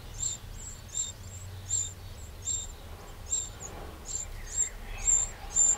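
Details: A Eurasian wren in a garden in the Châtillonnais, Burgundy, France, on 31 May 2023 gives short, very high ticking notes, about two per second, over a low background rumble.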